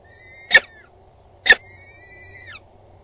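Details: Two peregrine falcon chicks begging as the mother brings food to their nest on Axel Tower in the Netherlands, midday 19 April 2022. Two sharp, loud bursts, each trailed by a long, thin, level whistle that drops at the end.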